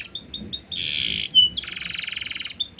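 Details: Canary singing a master song to prompt other birds to sing, in an ornamented style with blackthroat flavour: short whistled notes, a sustained buzzy trill, a loud chip, then a coarse rattling buzz.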